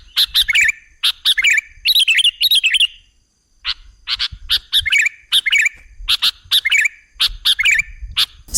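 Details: Sooty-headed bulbul (kutilang) song used as a trapping lure: short bubbly warbled phrases with sharp chips, in bursts of about a second separated by brief pauses, clean high-pitched delivery.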